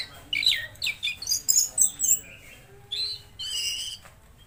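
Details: Tledekan Laut singing vigorously: a run of quick, bright chirped notes about every quarter second, then a pause and two shorter twittering phrases, over a soft low hum.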